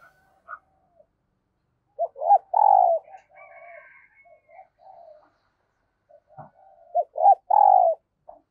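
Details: Spotted dove used as a decoy, cooing at early morning to draw wild doves: two loud phrases ending in a long falling coo, with fainter chirps and calls from other birds between them.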